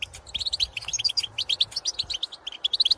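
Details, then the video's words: Field-recorded European goldfinches giving pitorreos and calls to fellow goldfinches: quick, sweet, upslurred chirps strung together in a tinkling, lively twitter with almost no gaps. "𝗘𝗦𝗧𝗜𝗠𝗨𝗟𝗔𝗥 𝗠𝗢𝗧𝗜𝗩𝗔𝗥 𝗝𝗜𝗟𝗚𝗨𝗘𝗥𝗢𝗦 𝗔𝗥𝗥𝗔𝗡𝗖𝗔𝗥 𝗔 𝗖𝗔𝗡𝗧𝗔𝗥 𝗝𝗜𝗟𝗚𝗨𝗘𝗥𝗢𝗦 𝗣𝗜𝗧𝗢𝗥𝗥𝗘𝗢 𝗬 𝗟𝗟𝗔𝗠𝗔𝗗𝗔𝗦 𝗗𝗘 𝗝𝗜𝗟𝗚𝗨𝗘𝗥𝗢 𝗖𝗔𝗗𝗘𝗥𝗡𝗘𝗥𝗔"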